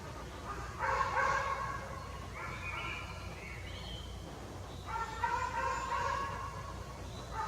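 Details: Fledgling jay recently out of the nest in woodland, uttering grating, nasal calls in three bursts, the middle one shorter and higher, over a low background rumble.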